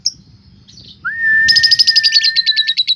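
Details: Lovebird sound used as a lure to provoke other lovebirds into ngekek and fighter singing. Brief soft chirps, then a sudden loud rapid chattering trill of high sharp notes, about six per second, over a sustained lower whistled tone.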